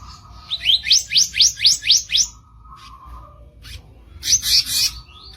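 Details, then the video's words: Rough masteran song of a kicap ranting bird: seven crisp rising whistled upsweeps in rapid, even succession, followed by a flat low tone and then a bright scratchy burst of high notes. "MASTERAN KICAU KASAR KICAP RANTING"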